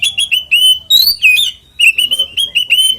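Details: Oriental magpie-robin fighting song, used as a lure to make other kacer sing: quick sharp whistled notes repeated rapidly, with longer slurred whistles mid-phrase and a short pause before the run resumes.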